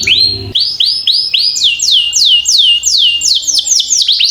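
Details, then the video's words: Canary song for tutoring young birds, a steady series of loud downward-curving whistled notes repeated about every third of a second, with a brief low rumble at the start. "Masteran Kenari Gacor Ngerol Panjang"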